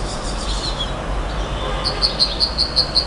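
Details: Nightingale singing a quick series of seven bright, high piping notes evenly spaced, preceded by softer faint trills, with constant low rumbling noise underneath.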